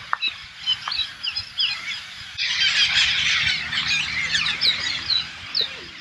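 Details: Flock of hundreds of green parakeets, believed Alexandrine parakeets, invading a farm in the Thailand countryside; scattered harsh screeching calls at first, then a dense loud chorus of overlapping screeches from many birds.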